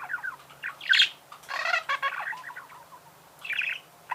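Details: Budgerigar chatter: rapid little chirps, a sharp squeak, a harsh grating burst, then softer warbling and a final buzzy phrase.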